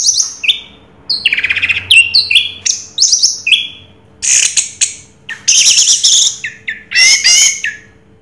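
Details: Orange-headed thrush in 'raja teler' song: a fast, varied mix of sharp chirps, buzzy bursts and short whistled notes, delivered in quick bursts with brief gaps, all high-pitched over a low steady hum.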